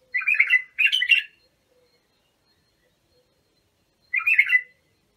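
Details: Song of a bulbul for training young birds: two quick, chattering, melodious phrases, a long silence, then one more similar phrase.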